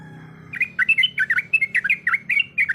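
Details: After a brief quiet start, a female sooty-headed bulbul calling the male breaks into rapid, bright, bubbling notes, some sharper and higher, in an unbroken rolling series over a low hum.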